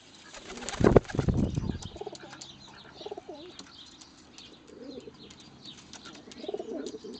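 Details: A pair of rescue-centre pigeons, one pure white, courtship feeding before mating; a loud burst of wing flapping first, then soft wavering coos repeated at intervals, with faint chirping in the background.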